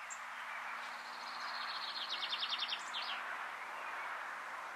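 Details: Dunnock (Prunella modularis modularis) in Quiberon, France, June 2020: a quick, thin, high jingle of tinkling notes lasting about two seconds, over a steady rushing background noise.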